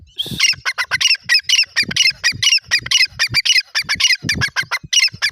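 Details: Francolin calling in its natural voice: a rapid, dense run of harsh, grating squawks repeated about twice a second, the notes overlapping closely with no other sounds.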